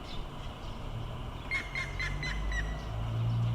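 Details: Grey-headed woodpecker in Sapporo, Hokkaido, 30 May 2018, gives a short series of five or six clear, whistled notes that fall slightly in pitch, over a steady low rumble.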